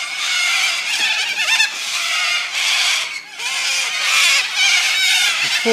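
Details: A flock of up to 100 little corellas in Landcox Park, Brighton East, on 1 May at 3 pm keeps up a dense, unbroken wall of harsh rasping screeches swelling in waves, with a man's voice faintly underneath.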